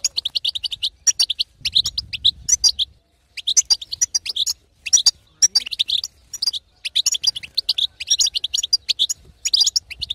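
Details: Female European goldfinch pouring out batbata chatter to rouse a silent male into song; twittering phrases of fast, high chips, separated by brief gaps, one quieter spell just before three seconds.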